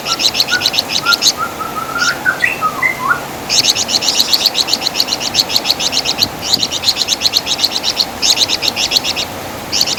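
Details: Javan fulvetta, called wergan jawa in West Java, recorded as master song for songbirds: long runs of rapid high chirping notes, with lower sliding whistles from another bird in the first gap.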